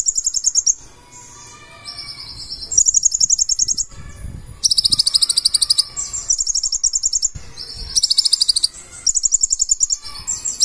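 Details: Purple-throated sunbird, locally called konin or kolibri ninja, in loud full 'gacor' song packed with 'isian' fill-in phrases: very high, rapid buzzy trills in bursts about a second long, separated by short quiet gaps, with a faint low hum beneath.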